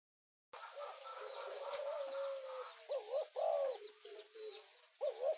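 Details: Spotted dove cooing, used as a fast urging call to provoke a rival: a steady droning tone first, then short, hollow, bent coo notes repeated at uneven intervals in a small indoor room.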